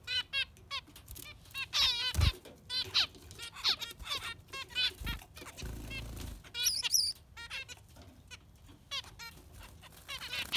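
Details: Yellow finch singing rapid chirping phrases and twittering trills, with a soft flutter or rustle partway through and a few thin high notes.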